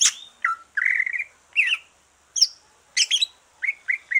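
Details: Green leafbird that has finished moulting, singing to stimulate other birds: separate varied phrases with pauses, a warbled mid-pitched trill, a sharp high note, a stuttering double burst, then three short rising chirps.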